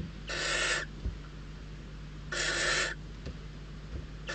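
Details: Barn owl chicks, famished after several lean days, competing for prey at a nest in the Ebro Delta's Riet Vell reserve; two long, harsh, breathy screeches about two seconds apart, a third starting at the end, faint clicks between.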